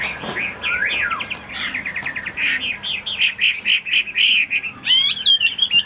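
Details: Chinese hwamei kept in a cage in Vietnam, singing fast buzzy trills and downward-sweeping whistles, followed by a series of rich repeated warbled notes and a final sharp upward slur.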